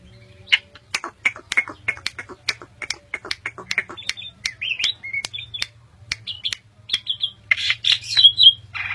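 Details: Asian pied starling, a bred songbird from Indonesia, in a varied song: rapid series of sharp clicking notes, then whistled slurred phrases and harsh squawks toward the end, over a steady low hum.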